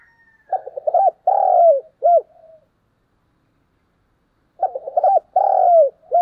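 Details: Spotted dove decoy bird cooing in the morning: two low, soft phrases about four seconds apart, each a few stuttering notes, then a long drawn-out falling coo and a short closing coo, over a clean, silent background.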